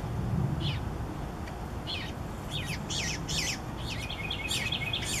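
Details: Baby Eastern bluebirds calling while being fed by their parents; scattered downslurred chirps that grow quicker and denser toward the end, over a constant low rumble.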